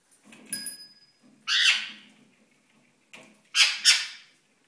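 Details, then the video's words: Indoor ringneck parakeet during courtship display, giving a few loud, harsh, broadband squawks about two seconds apart over a faint low hum in the room. "Ringneck 7Up & Pepsi - Seven beim Balzen"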